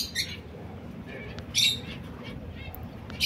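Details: Two male canaries fighting each other: short harsh squawking bursts at about 0.2, 1.6 and 3.3 seconds, with quieter chirps in between over a low background hum.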